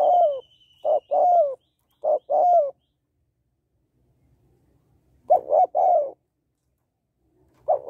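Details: Hen spotted dove giving a call meant to rouse males, a series of brief coos ending in a drawn-out downward-sliding coo, bouts separated by pauses of a few seconds; a thin steady whistle overhead at the start.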